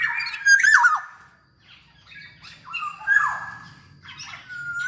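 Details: Black-naped oriole singing actively, played to prompt other orioles to sing: loud fluty whistled phrases with sliding notes, a harsh squawky note near the start, then further separate whistles after a short pause.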